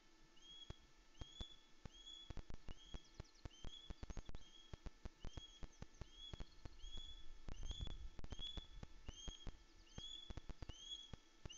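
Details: A male osprey at Loch Arkaig, 16 April 2021, sky-dancing off camera before landing on his nest with a fish, gives a long series of high, piercing, upslurred whistles, about two each second, over thumps and rumbling wind.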